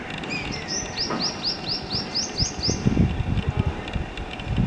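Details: Young black-eared kite at the stage of learning to fly, calling with a drawn-out opening note followed by around nine rapid, high, rising-falling piping notes, then low rumbling and knocking noises.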